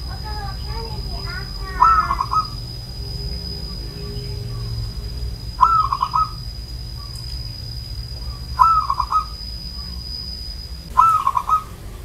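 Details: Cooing of an old zebra dove: four rolling, bubbling phrases of quick, slightly descending notes, repeated about every three seconds, with some softer harmonic notes at the start and a steady low hum underneath.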